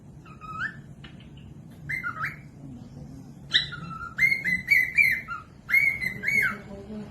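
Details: {'caption': 'Cockatiel song used to train other birds to sing: clear whistled phrases of rising and falling notes, sparse at first, then a denser run of repeated whistles with a low hum underneath.'}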